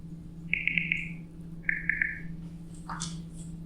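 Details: Spotted owlet heard on a campus, a call likened to a monkey: two quick bursts of harsh, chattering notes, four then three, followed by a brief screechy squeal, over a steady low hum.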